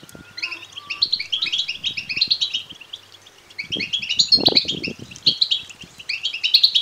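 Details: Young European goldfinches begging, sound meant to stir males to song and mating: quick high chirps in two busy runs around a brief lull, with a short rustle and soft thumps.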